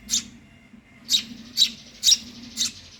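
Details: Five shrill, squeaky chirps from a hungry Eurasian tree sparrow chick begging, spaced about half a second apart after an opening note, over a quiet low hum.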